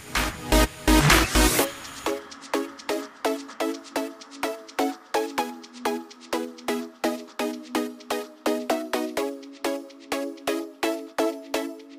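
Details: Electronic dance music with a steady, fast beat of pulsing chords; no animal sound is heard.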